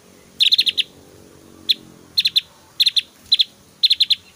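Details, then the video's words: A Javan grey-throated white-eye in full song gives bursts of loud, sharp, high chips in quick runs of two to five, every half second to a second, mixing whistles and hard "shot" notes. "SUARA SIULAN JUGA TEMBAKAN 💯 DAHSYAT BURUNG OPIOR JAWA"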